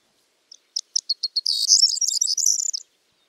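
A corn bunting's high, dry song: a few spaced ticking notes quickening into a brief, jangling, glassy rattle, about three seconds long.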